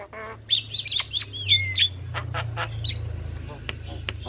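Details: Duet of a male and a female Javan myna: a nasal honk, then quick bright whistled chirps and slurred downward notes, fading into scattered clicks over steady low hum.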